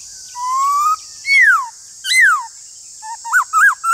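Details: Duelling Black-throated laughingthrush song: a rising drawn-out whistle, two loud downslurred notes, then quick hooked whistles, against steady high-pitched background hiss.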